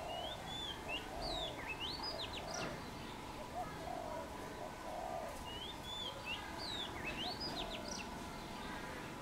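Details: Low, soft cooing from a wild Khmer dove on a tamarind branch, a steady run of muffled hoots under louder whistled and swooping calls from other birds, which come in two bursts.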